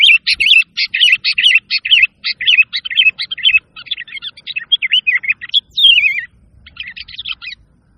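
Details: Sooty-headed bulbul in full song, meant to stir quiet caged birds or attract others: a dense run of quick chirping notes, then a rising-falling slurred whistle and a final chirpy burst, on a clean background.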